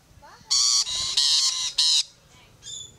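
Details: Several grating, broadband screeches from rainbow lorikeets on a fence, loud rasping blocks close together, then a softer, thinner call at the end.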